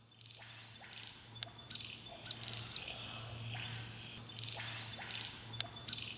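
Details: A fidgety grey fantail, darting about chasing insects in rain on the Illawarra Escarpment, Australia, gives thin, sharp, high chips about every second, over a steady high insect drone, a low hum and soft rain.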